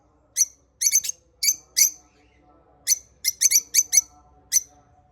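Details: A family of African lovebirds gives sharp, shrill chirps in quick irregular bursts, some paired or tripled.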